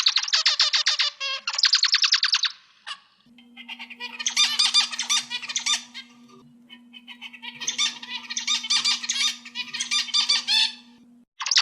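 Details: Zebra finch singing, recorded as training material for cage birds: quick buzzy nasal notes in bursts of about two seconds, then a quieter, busy stretch of chattering notes over a constant low hum.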